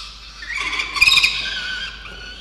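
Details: Peregrine falcon chicks in a nest box on a university campus in Orange, New South Wales, Australia, one biting another; a harsh, squealing, rasping call swells and peaks in loud pulses midway, then fades.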